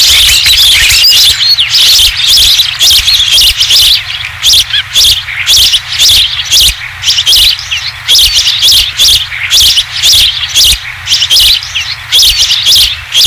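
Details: Osprey on a ranch nest as the first fish is brought back, 20 July 2016. Short, high chirping notes repeat rapidly, almost two per second, in uneven bursts against a steady, loud, hissing background.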